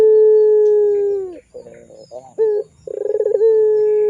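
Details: Barbary dove, pelung type, cooing as a tutor lure for young birds: a sustained level hoot dropping away, soft warbling notes and a brief rising hoot, then a stuttering roll that flows into a new long coo.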